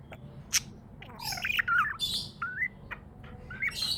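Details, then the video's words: A cheerful pet budgie gives a few scattered chirps. There is a sharp click, a burst of scratchy squawks, then short rising whistled notes, over a faint steady hum. "Happy budgie chirping sounds"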